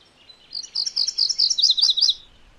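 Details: One full song phrase of MacGillivray's warbler, lasting about a second and a half: a brisk chain of bright, paired high notes, strongest toward the middle.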